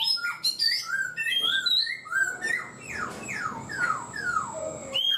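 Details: Caged black-throated laughingthrush, kept four months, singing a varied run of clear whistled notes: downward and upward slurs stepping between low and high pitches, dense and continuous, with a faint hiss behind.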